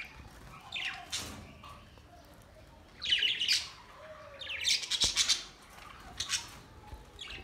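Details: Budgies recorded May 29, 2023, giving loud, harsh squawking bursts of rapid high chatter about every one to two seconds, with softer chirps between them.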